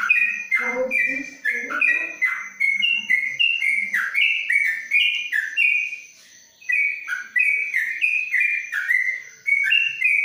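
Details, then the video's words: Caged yellow-vented bulbul in Kebumen, Indonesia, inside a cage cover, singing long 'ropelan panjang' style: rapid runs of clear whistled two-part notes, alternating higher and lower, with a brief pause near six seconds; faint low murmurs and a steady high whine behind. "Trucuk Ropelan Panjang dalam krojong"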